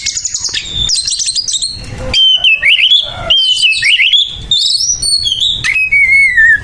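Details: Oriental magpie-robin in harsh fighting song, used to provoke and agitate other magpie-robins: rapid buzzy chatter gives way to loud, sliding whistled phrases that rise and fall, ending in a long descending whistle.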